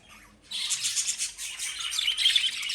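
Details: After half a second of near silence, pet lovebirds burst into loud, harsh, high squawky chirps that run together into a continuous rasping chatter to the end.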